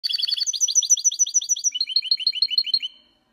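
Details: A mule goldfinch x canary hybrid sings cleanly for training, giving a rapid series of bright, repeated notes.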